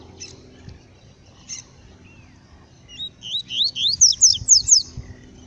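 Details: A yellow-bellied seedeater out in the bush sings a quick, high series of about eight bright, sweeping whistled notes that grow louder toward the end, over a faint low hum.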